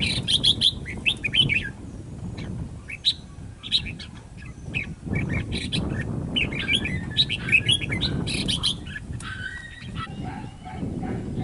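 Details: Escaped red-whiskered bulbul singing: bright, quick chirping phrases in bursts, some notes sliding and warbled, coming in clusters with short pauses, over a steady low rumbling background.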